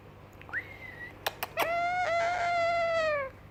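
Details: Young yellow Indian ringneck parakeet imitating a cat, moaning, in its first attempts at talking: a few clicks, then a long drawn-out tonal moan that slowly falls in pitch, like a meow, indoors.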